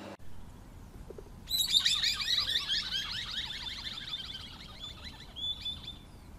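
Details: Scimitar-billed woodcreeper (Drymornis bridgesii) song: a fast run of high, sharp notes that begins abruptly and slowly descends in pitch over about four seconds. A short, thin whistled phrase follows.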